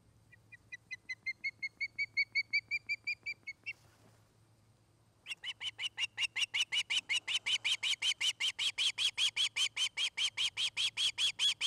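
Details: Nest-cam recording of an osprey pair in Charlo, Montana, August 29, 2018, afternoon: a measured series of about sixteen thin whistled chirps, a short pause, then a louder, quicker run of harsh squealing whistles that keeps going, with a low hum throughout.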